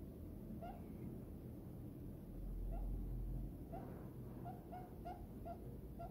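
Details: Happy diamond dove resting in a hand, uttering soft short coos spaced irregularly, clustered toward the end, under a loud low rumbling noise.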